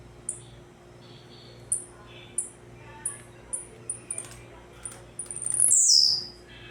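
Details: Brief high clicking notes from a blue-black grassquit, spaced about every half second to a second, then a louder, longer downward-sweeping buzzy note, with constant low hum behind.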